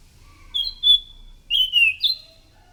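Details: Lure song of a chestnut-capped thrush in full, loud voice: two high whistles, then a rising-and-falling slurred phrase and a final sharp upslurred note, with pauses between.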